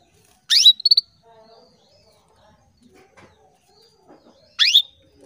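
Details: Female canary calling to males: a sharp rising chirp followed by two quick clipped notes, then a second rising chirp about four seconds later, with faint soft clicks in between.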